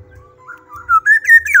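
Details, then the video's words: Black-naped oriole singing vigorously: soft whistles build into a bright, liquid phrase of climbing slurred notes, ending on a falling whistle; a low hum runs underneath. "kepodang gacor"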